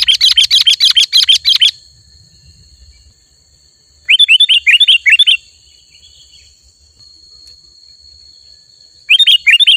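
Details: Sooty-headed bulbul in lively, chatty song, used to lure wild bulbuls closer: rapid bursts of sharp, high chirps, about a dozen notes each, separated by pauses, over a faint, steady high whine.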